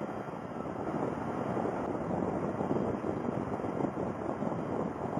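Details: Dense, rushing wind noise buffets the microphone throughout, with no calls heard.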